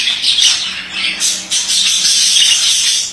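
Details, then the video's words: Male budgerigar warbling continuously: dense chattering, scratchy and squeaky notes with bright high chirps, running almost without pause. "Erkek muhabbet kuşu sesi"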